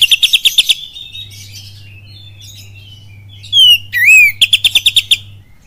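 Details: Oriental magpie-robin lure song in the 'kapas tembak' style: a fast series of about eight buzzy, ticking notes, a quiet gap, two loud slurred whistles, then another rapid buzzy series. A low steady hum runs underneath.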